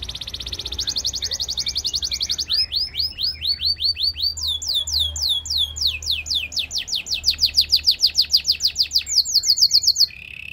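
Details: Canary song used for training: rapid tours of repeated rising and falling whistled syllables, high-pitched, switching to a new phrase type every two to three seconds, with a low steady hum underneath.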